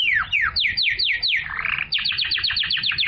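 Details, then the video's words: A canary sings to stimulate females to mate and to tutor young birds, giving a string of loud descending whistled slurs, a brief buzzy slide, then fast repeated downward notes. "تغريد الكناري لتحفيز الاناث على التزاوج"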